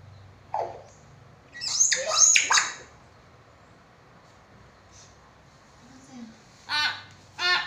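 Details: Talking common hill myna: a burst of speech-like, mimicked syllables, then quiet, then two short harsh raspy calls near the end, with a faint low hum underneath.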